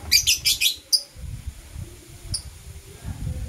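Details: Lovebirds of Blue Opaline and Parblue Euwing Opaline colour forms chirping in the morning: a quick run of shrill, harsh chirps, then a lone squeak, over low rumbling background noise.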